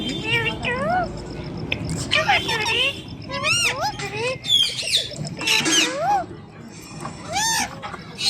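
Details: ['Indian ringneck parrot talking in mimicked speech: harmonic, arching syllables that swoop up and down, delivered in quick bursts with brief pauses, with a low hum beneath.']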